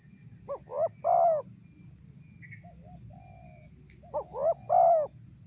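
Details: Spotted dove lure call, used to draw responses from wild doves: two three-note phrases, two short rising hoots then a longer hollow coo. Quiet pause between them, with a steady high electronic whine throughout.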